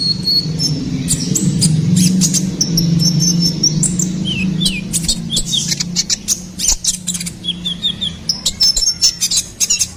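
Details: Ruby-cheeked sunbird song played as a lure for songbirds: high thin whistles and quick downslurred chirps, with scattered sharp ticks, set against a loud low droning hum through most of the recording.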